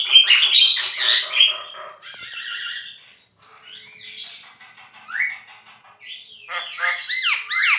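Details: Continuously singing Javan myna, used for songbird training, opening with a dense harsh chatter, then thin whistles, upslurred notes and a string of arched, squeaky syllables.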